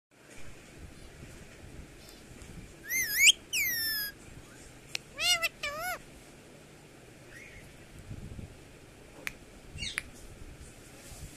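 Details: A parrot described as talking gives loud, rich, sliding vocal bursts, first around three to four seconds, then a warbling pair near five to six seconds, and a brief final call near ten seconds, over a quiet background.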